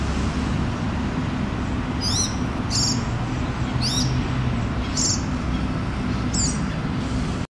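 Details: A Fieldfare fledgling foraging on a lawn in Helsinki, Finland, in June 2013 gives five thin, high, downslurred begging calls about a second apart, possibly in exchange with its parent, over a steady low traffic rumble.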